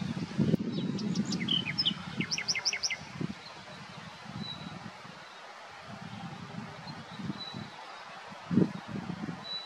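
A common nightingale gives one brief, rich phrase of rapid, repeated high notes and a few whistles, then falls silent under steady low wind rumble.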